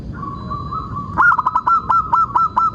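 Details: Local zebra dove (perkutut lokal) singing, used as a lure to make other zebra doves sing: a long, level hooting note, then a quick run of about nine short, hooked cooing notes at a steady pitch, with faint clicks above.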